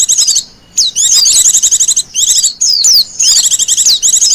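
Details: Japanese white-eye in the wild, song of the kind used for bird luring and as a master tutor song: fast, high-pitched warbling runs of slurred twitters, repeated in close bursts with brief pauses between.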